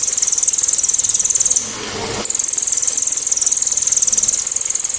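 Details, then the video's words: Cililin giving a loud, sharp, clear 'tembakan' burst used for training songbirds to copy: a very high, rapid, steady ticking trill, about ten pulses a second, broken once by a brief gap, then resuming unchanged. "TEMBAKAN ‼️BURUNG CILILIN‼️ SEPERTI KESELEK SANDAL😂KERAS TAJAM DAN JERNIH"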